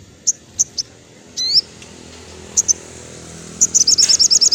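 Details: Crimson sunbird singing in the afternoon, used to train captive birds: very high, sharp chirps given singly at first, then a short bright ascending note, ending in a fast, evenly spaced run of high twittering notes.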